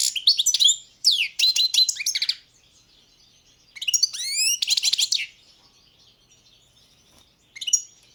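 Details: {'caption': 'Goldfinch, subspecies balcanica, delivering tinkling song phrases: rapid chirpy twitters, a fast rattling trill and rising whistled notes in three bursts, with quiet gaps between them.'}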